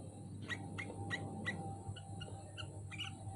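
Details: Caged sooty-headed bulbul hung up on a pole, giving a series of short, bright chirped notes about three per second, then softer double notes, over a steady low hum and a faint high whine.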